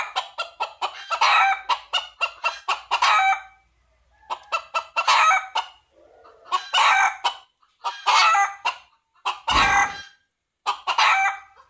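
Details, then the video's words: Red junglefowl calling while seeking a female: bursts of rapid harsh, harmonic clucking notes merge into louder drawn-out crowing phrases, repeated several times with short silent gaps between them. "សំឡេងមាន់ព្រៃរកញី - Jungle fowl"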